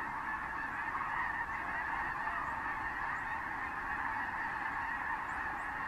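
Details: Massed Snow Geese and other species settling onto fields at San Joaquin River National Wildlife Refuge in January 2014; a thick, even chorus of honking voices with no pauses.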